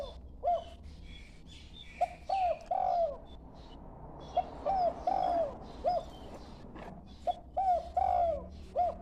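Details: A young dove practising its call gives clusters of two or three brief arched coos, repeated roughly every two seconds with quiet gaps, against faint background hiss.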